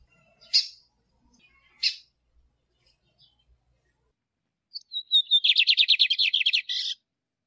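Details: Caged male Lined seedeater song with female calls, used to stimulate and train caged birds: two sharp high chips, then a thin whistled lead-in opening into a rapid buzzy trill of repeated notes ending in a harsh burst.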